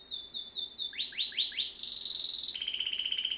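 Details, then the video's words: Canary, Serinus canaria, singing for training: repeated downslurred whistles, then a run of four rising sweeps, followed by a fast rolling high trill with a steady hiss behind. "Bird song | Canary singing| training bird | best canary | Serinus canaria"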